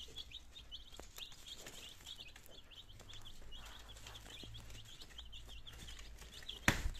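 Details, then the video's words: Nineteen chicken chicks on their second day, in Germany, starting to eat and drink: a steady stream of high, thin peeps from many chicks over a low hum, with a sharp knock near the end. "My Chicks in second Days - Meine Küken in der zweite Tag"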